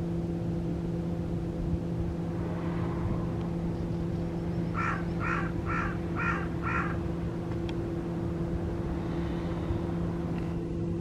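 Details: Escaped captive carrion crow with torn string on a leg, tame around people, Guia, Cascais: a run of five evenly spaced hoarse caws midway, over constant low mechanical droning and vehicle rumble.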